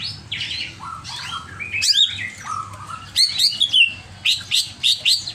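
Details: Greater green leafbird in an emotional, agitated mood, singing clear descending whistled phrases, then bursts of sharp, high, rapidly repeated notes; constant low hum in the background.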